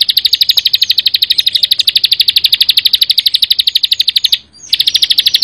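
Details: Rapid, tightly packed song of a Bar-winged prinia in the 'gacor full bren' style: high metallic notes pulse steadily for over four seconds, stop briefly, then resume at the same pace.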